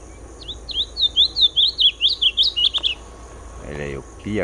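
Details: Masked yellowthroat song: a quick series of about a dozen high, sharp, down-slurred and up-slurred whistled notes, roughly two to three per second, over a steady background hiss, followed by brief lower voice-like sounds near the end.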